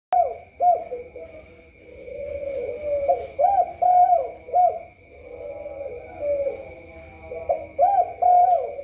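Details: Spotted dove from Indonesia cooing: soft, low, hollow coos in short groups of two or three notes, separated by murmured lower cooing, with a steady high electrical whine running throughout.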